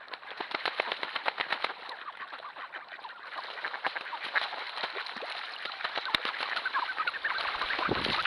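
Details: Flooded cornfield packed with thousands of ducks, trail camera audio: choppy, rapid quacking from a huge mixed flock, growing fuller and louder over the final seconds.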